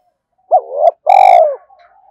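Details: Spotted dove cooing as a lure recording: a brief low note and a longer throaty, rolling coo that slurs downward, then quiet.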